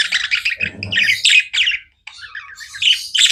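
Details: A group of budgerigars chatters in harsh, buzzy bursts and sharp chirps, broken by one brief silent moment before the noisy warbling resumes.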